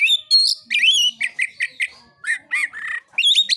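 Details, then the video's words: Oriental magpie-robin in a challenging narung song to provoke rivals: strong whistled notes and slurred phrases, a few quick chips, then descending wavering whistles, clear and loud. "KICAUAN KACER NARUNG"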